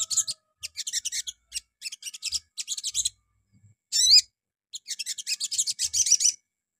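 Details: Morning lure of sogon song: repeated short bursts of rapid, high scratchy chittering, a brief ringing wavering call in the middle, then another long chattering run.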